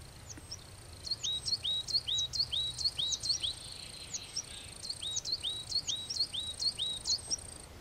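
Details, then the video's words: Coal tit song: high, bright two-note phrases, a sharp upper note dropping to a lower slurred one, repeated rapidly and steadily for several seconds in two bursts against faint background hiss. "Mésange noire"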